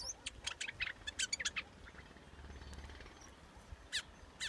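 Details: Scarlet-backed flowerpecker giving quick clusters of sharp, very high ticking notes, then a short pause and a few more isolated ticks, over a faint steady hiss.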